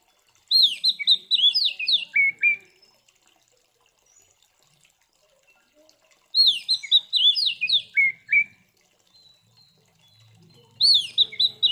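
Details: Oriental magpie-robin fighting song, used to stir up other magpie-robins: loud whistled phrases of rapid up-and-down slurs ending in lower notes, repeated roughly every five seconds, with a faint low hum late on.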